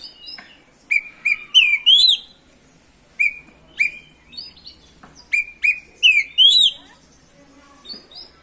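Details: Oriental magpie-robin in full song, played to rouse other magpie-robins; clear rising and falling whistles grouped in quick phrases of three or four notes, with sharp clicks between them.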